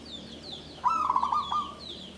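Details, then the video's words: Zebra dove kept in a bamboo cage, tumpang sari song of the klabang kapipit type. A single quick, rolling series of low purring coos ends in a short drawn note, over faint high twittering from other small birds. "SUARA PERKUTUT KLABANG KAPIPIT || TUMPANG SARI || KLARR KETE KUK KUK"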